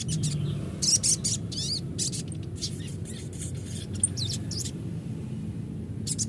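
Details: Sogon used as a lure to prompt other birds to sing: sharp, high chirps and short buzzy notes in bursts, some rising whistled sweeps, over a steady low rumbling hum.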